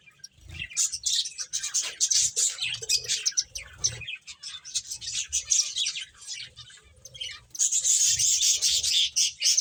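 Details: Finches at play chirp almost continuously, with dense high twittering notes in irregular runs that swell into a louder, busier burst toward the end.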